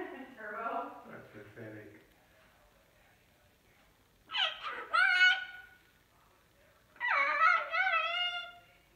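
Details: Pet cockatoo in its cage at night after bedtime, covered with a sheet and recorded in the dark beside the cage. A soft human voice comes first, then two drawn-out, nasal, harmonic squawk-like utterances a few seconds apart.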